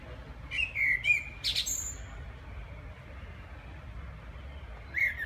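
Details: Background song of a common blackbird: a mellow warbled phrase, then a squeaky high flourish and a thin high whistle. Quiet low rumble throughout, and another soft whistle at the end.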